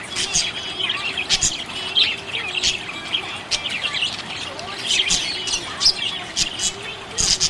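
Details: Happy budgerigar chirping with a busy mix of high squeaks, warbles and sharp clicks, bursts repeating every second or two, a soft lower tone faint behind.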